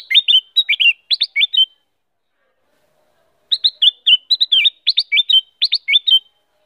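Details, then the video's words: Female Black-crested Bulbul giving two bursts of quick, bright whistled notes, about eight in the first and a dozen in the second, with a pause between and nothing else heard. "Kutilang Emas Betina Gacor. Black-crested Bulbul call and song."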